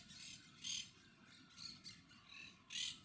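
Monk parakeets give harsh, grating squawks, four loud bursts in three seconds with fainter chatter between, over a soft steady background hiss.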